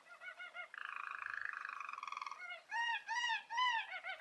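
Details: Young canaries' teaching song from a Belgian roller canary: soft bubbling notes, a rapid vibrating roll, then loud rising-and-falling bell-like swoops spaced about half a second apart, ending in quick trills.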